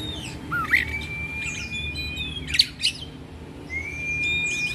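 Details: Oriental magpie-robin singing loudly in 'ngeplong' style while agitated and spreading its tail: long steady whistled notes held for over a second, broken by short sharp chirps and twittering bursts, over a low background hum.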